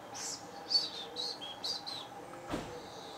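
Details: Eurasian blackcap singing in the morning at Senigallia, Italy, on 25 June 2016: short bursts of high, bright warbled notes over about two seconds, then a sharp click, over a low steady background hum.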